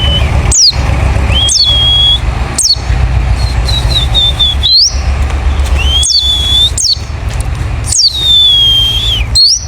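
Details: Wild white-eye lure call meant to make other white-eyes answer: sharp high notes dropping steeply, roughly one per second, some trailing into drawn-out level whistles, with a loud low hum underneath.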